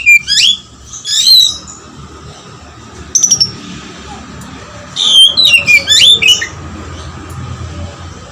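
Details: Oriental magpie-robin singing intensely with lovebird-style material: loud bursts of sharp whistled slurs and chattering notes, separated by pauses of about a second, over a steady low hum.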